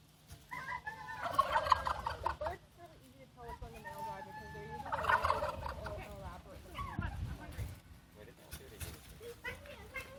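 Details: Turkeys showing off at Fort Edmonton Park in Edmonton give two loud bursts of rapid, rattling gobbles, each lasting over a second. Softer clucking notes and a few human voices come between and after the bursts.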